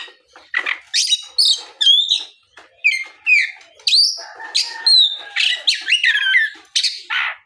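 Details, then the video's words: Afternoon lure song of an Oriental magpie-robin, used to draw other magpie-robins into replying; dense run of loud whistled notes, sharp upward slides and harsh rasping chips, nearly continuous. "SUARA PIKAT BURUNG KACER GACOR NGEPLONG SORE MEMANCING KACER LAIN SUPAYA LEKAS BUNYI NYAUT & GACOR"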